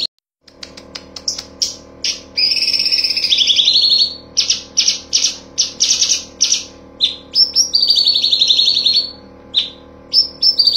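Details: Songbird-training master of cucak cungkok: a quick run of sharp high chips leading into long stuttering trills, with many short bursts repeated about three times a second, over a low constant hum.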